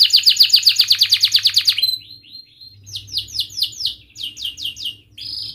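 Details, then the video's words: Canary with a sharp rolled song meant as a lure for young canaries learning to sing: a fast, even burst of high notes for nearly two seconds, then scattered downward-swept chirps and short buzzy notes, low hum behind. "Kenari Gacor Cuit cuit Ngerol TAJAM, TERAPI AMPUH Kenari MACET, Pancingan Kenari Paud Belajar Bunyi"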